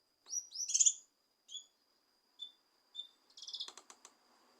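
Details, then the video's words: Leafbird sound for goading a reluctant leafbird to sing: an opening cluster of bright high whistled notes, then single thin short whistles about a second apart, ending in a rapid rattling burst of clicks and chirps. "Cucak Kinoi Untuk Memancing Emosi Kinoi Malas Bunyi"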